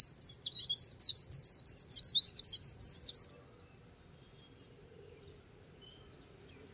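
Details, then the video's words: White-eye giving líu song by the Kỳ Cùng river: a dense three-second stream of sharp, high, rapidly repeated chirps that stops abruptly, followed by near quiet with a few faint distant high notes. "VÀNH KHUYÊN HÓT LÍU/ 10 PHÚT CHIM VÀNH KHUYÊN LÍU BÊN BỜ SÔNG KỲ CÙNG RẤT HAY/ KÍCH KHUYÊN LÍU CHOÈ"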